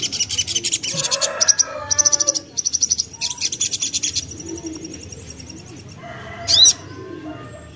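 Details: Young Common iora recorded as a lure to draw other birds into song: bursts of rapid high chirps and thin whistles, a softer steady trill in the middle, and one loud sharp note near the end.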